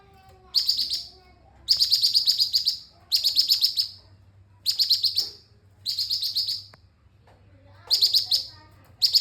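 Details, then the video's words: Orange-spotted bulbul in full song, repeating high, rapid chirping phrases of several notes each, separated by pauses of about half a second to a second, over a faint low hum and a few soft background noises. "Cucak cungkok gacor"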